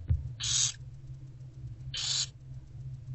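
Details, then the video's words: Barn owlets fed by their mother in an owl box in daylight on 15 February 2024, 11:03 to 11:07 am: two loud, breathy screeching hisses about 1.5 seconds apart, each around a third of a second, over faint steady hum. "Barn Owlets Being Fed During Daylight By Mom"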